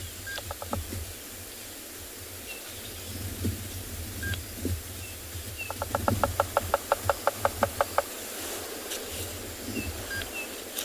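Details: Bearded woodpecker drumming at sunrise in the Tswalu Kalahari Reserve, South Africa, on 6 March: about fourteen evenly spaced hollow knocks over two seconds. It advertises, and the sound carries far. Faint chirps of other birds and a low rumble behind.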